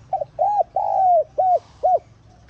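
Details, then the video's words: Spotted dove cooing, played to call in wild doves and to stir caged birds into cooing: five clear, low, hollow coos, the third long and slightly falling, the others short and arched, over a faint low background hum. "Tiếng Cu Gáy Giọng Hạp BổI ĐỦ BÀI [GỌI BỔI] TỐT TIẾNG kích Bổi Nhanh Nổi.Mở lên là bổi gáy lại"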